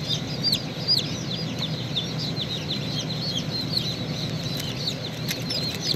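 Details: Chicken chicks, one hatching from its shell, give a dense chorus of short high peeps that slide downward, along with a few soft flapping sounds, set against steady low-pitched humming.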